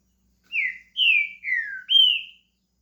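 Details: Green-winged saltator, a Brazilian pet bird starting its song, delivers four loud, rich whistled notes in quick succession, each sliding downward, the last rising first then falling.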